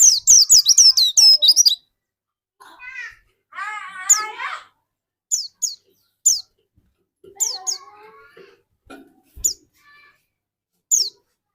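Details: Dakun white-eye in lively song, used as a lure to get other white-eyes singing: a rapid opening burst of high, sharply descending whistled notes, then scattered single high notes with lower warbled, harmonic-rich phrases between them.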